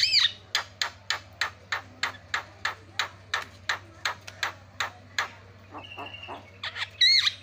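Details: A myna, a lure recording of the buffalo myna (jalak kebo) used to provoke other mynas into calling, gives a fast run of harsh, clicking chacks about three per second, then a clear whistle and squeaky notes, over a low electrical hum.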